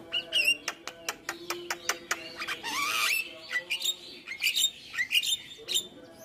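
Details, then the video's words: Javan myna singing a full-content song meant to make other mynas answer: a fast, varied run of sharp clicks, squawks and rising whistled sweeps, with bright chattering bursts between short pauses. "Jalak Apapun Yang Dengar Suara Jalak kebo Full isian Ini AKan langsung Nyaut Manggut2"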